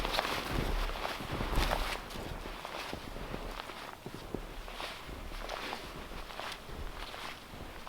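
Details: Steady footsteps crunch and shuffle outdoors near an off-grid cabin, with rustling and low rumbling background noise but no animal calls.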